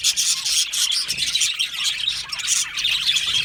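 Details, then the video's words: Happy budgies chirping as a colony in an aviary, a thick wash of raspy, high twittering with a few short warbled notes rising through the steady chatter. "Happy Budgies Sounds | Budgies Chirping Sounds | happy Budgie sounds for lonely Budgie birds"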